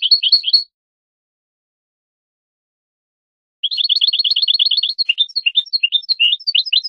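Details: European goldfinch song, recorded as tutoring material for young birds: a brief twitter, about three seconds of silence, then a dense, rapid chatter of high notes that breaks into sprightly separate chirps.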